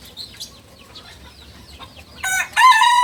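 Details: Balenggek chicken, a beginner rooster of a breed native to Solok, West Sumatra, crowing: after a quiet stretch with faint chirps, a loud, rich, harmonic crow bursts in for the final second, rising in strength.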